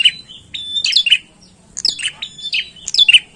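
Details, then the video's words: Bar-winged prinia singing briskly, clusters of sharp high chirps and short flat whistles in bursts separated by brief pauses. "PRENJAK GACOR"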